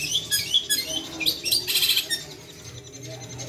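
A long-tailed shrike sings a fast, varied jumble of high chirps and squeaky notes, with a dense scratchy burst before trailing off.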